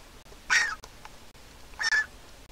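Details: Griffon vulture chick at a nest in Israel, hatched 22.4.21, offspring of a handicapped pair, begging for food as its mother comes to feed it: two short, harsh, raspy squawks about a second apart, faint background hiss.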